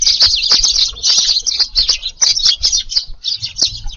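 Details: Eurasian tree sparrows packed together at an evening feed in a garden, 6 July: a nonstop jumble of bright, overlapping chirps and twitters from many birds, with light flapping and low knocks underneath.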